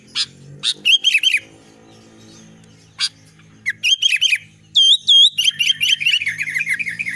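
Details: Albino sooty-headed bulbul singing energetically, clicks and short whistled bursts building into a long, fast run of bright, looping, chattering notes.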